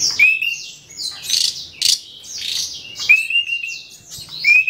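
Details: Asian pied starling imitating songs from its owner, giving clear rising whistles repeated about every 1.5 seconds between loud grating, noisy bursts and softer squeaky notes.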